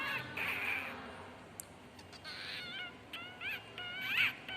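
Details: Pet cockatiels, described as happy, giving a few rising and falling whistled chirps, some in quick runs, over a steady background hiss.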